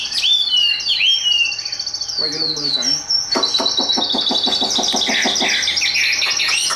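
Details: Hand-carried tame Chinese hwamei, a caged bird kept for contests, singing high. Bright whistled slurs and a fast trill lead into a harsh rapid chatter of evenly spaced notes, then looping whistles return.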